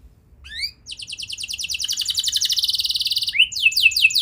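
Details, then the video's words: Canary song used as a lure to trigger young canaries into singing: a few faint upslurred notes, then a long, fast, buzzy rolling trill lasting over two seconds, ending in quick descending swept whistles. "Pancingan Burung Kenari Muda! Ampuh Buat Mengatasi Kenari Muda Susah Gacor Pasti Langsung Ngeplong"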